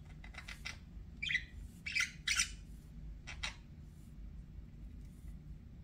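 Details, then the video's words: Pet budgerigar heard fairly softly: a few scratchy chirps, then louder rasping squawks in quick pairs, fading to near quiet with faint low room noise. "BUDGIE SOUNDS"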